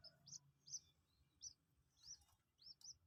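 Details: Common Moorhen chick aged two days, being coaxed to take pellet feed, utters sparse, high upslurred peeps at irregular intervals over a quiet background.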